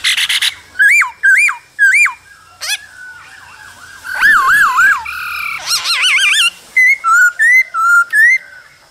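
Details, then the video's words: Male laughingthrush singing and dancing with a calling female, cold season. Loud, looping whistles are repeated in threes, followed by a sequence of wavering, warbled tones. The clip ends with a quick run of short, rising and falling whistled notes. "Khướu trống hót múa kèm tiếng mái ro kích bổi mùa lạnh"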